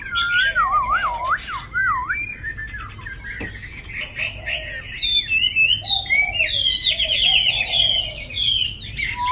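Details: Caged Chinese hwamei from Hanoi, Vietnam, delivers rich song: wavering looping whistles at the start, then quick bright rising and falling notes, with a click and soft lower sounds in the background.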